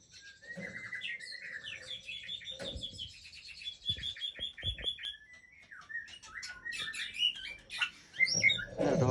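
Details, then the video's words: Breeding hen white-rumped shama of the Aceh type singing a rich, varied song of rapid whistled phrases and trills, shifting between clear notes and fast buzzy runs, growing louder toward the end. "Murai Aceh # Induk Super"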